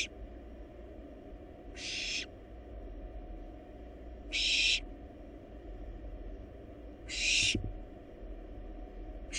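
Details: Wild barn owl nestlings in a monitored nest box, feeding on a large rabbit, give harsh hissing screeches about half a second long, three in nine seconds at uneven intervals, over a steady low hum.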